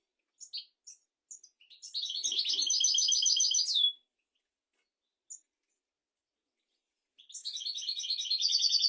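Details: Song of a European goldfinch meant as a tutor for goldfinches and canaries: a few separate chips lead into a loud, fast, buzzy trill lasting about two seconds, silence with one chip, then another rapid trill.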